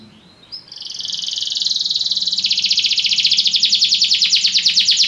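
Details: Belgian canary giving a long buzzy trill that starts softly after a short chirp and swells steadily louder, with rapid pulsing repeats throughout and a faint low hum in the background.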